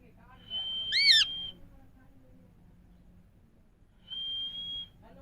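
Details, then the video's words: An Indian parrot gives a long, steady, high whistle with a quick rising-and-falling note in the middle, then a second level whistle about three seconds later. "Indian parrots talking Mithu Miya Mithu parrots sounds"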